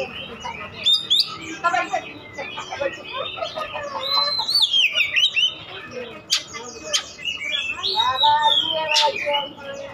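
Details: Oriental magpie-robin song used to provoke other birds to answer: a rich, varied stream of high whistles, quick trills, slurred upsweeps and buzzy chatter, densely packed, with faint background hum.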